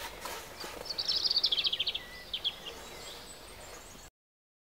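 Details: Close-up Great spotted woodpecker (Dendrocopos major) giving a fast run of about a dozen sharp, high notes, then a few scattered ones, over a steady outdoor hiss.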